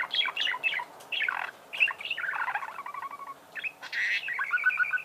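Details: Singing budgerigars produce a continuous chattering warble of quick squeaky notes, including a run of evenly repeated ticking notes near the middle and a bright trilling phrase at the end.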